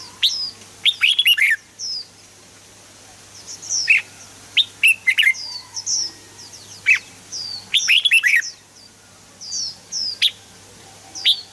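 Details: Red-whiskered bulbul song, played to excite other birds: bursts of loud, rich, bubbly warbled notes in short phrases roughly every two to three seconds, with faint thin rising chirps from other birds behind.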